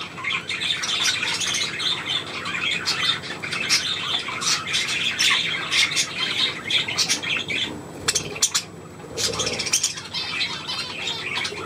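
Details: Several pet budgerigars kept indoors, heard as their owner calls to them: dense, scratchy chattering and squawks with sharp chirps, continuous over the whole stretch, with a brief pause near the end.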